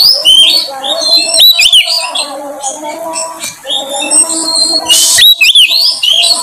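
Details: Oriental magpie-robin song used as a lure recording to draw out a caged bird's repertoire: a loud, dense stream of varied whistles, slurred rising notes and chattering phrases, with brief harsh bursts mixed in.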